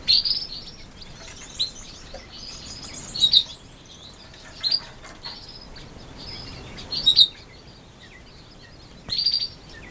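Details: One-day-old quail chicks with brown plumage, in October 2014, giving short loud peeps spaced a second or two apart, sometimes paired, over a quiet hiss.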